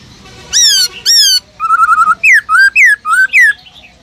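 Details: Caged Black-throated laughingthrush singing in its forest-style voice to rouse other caged laughingthrushes: two loud whistled notes sliding down, a quick rippling trill, then four ringing up-and-down whistles in an even series.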